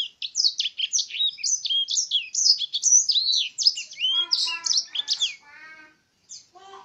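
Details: Canary with blackthroat-tutored song delivers quick high slurred whistles and twitters, then a stretch of lower, richer, rapidly repeated nasal notes mixed in before the phrase fades into near silence with a few final chips.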